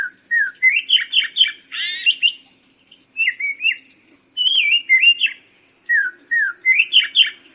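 A Black-throated laughingthrush sings rich, varied whistled phrases: quick rising and falling notes in bursts of three to five, separated by short pauses.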